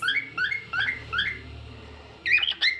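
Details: Cockatiel song indoors: paired rising whistled notes repeated four times, a quiet gap, then a tight cluster of sharper chirps.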